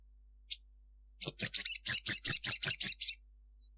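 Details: Sunbird, a local bird known as sogon, singing at midday; one high thin note, then a fast run of about ten sharp, high, chirping notes that repeat rapidly in a chattering burst.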